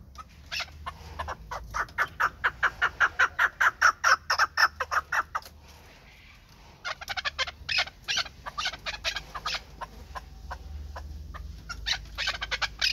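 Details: Pamir chukar partridges kept for hunting, tethered and caged; a long run of loud, evenly spaced chuk notes, about two to three per second, a pause near the middle, then another faster, looser series.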